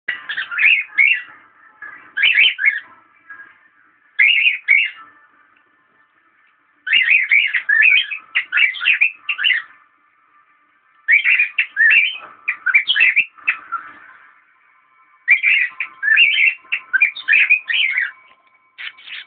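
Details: A 1-year-old female cockatiel, upset by the camera held too close and trying to attack it, gives bursts of bright, warbling chirps and whistles, pausing between each run.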